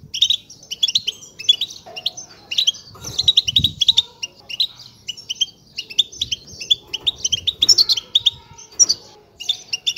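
Goldfinch chicks beg in a constant, high, thin chatter of rapid overlapping tweets, with a few faint low thumps in the background.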